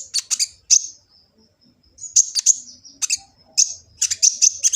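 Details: High-pitched kolibri ninja sunbird song from Gresik, East Java, used for training birds; clusters of sharp chips separated by thin sustained whistled trills, with a brief pause near the middle.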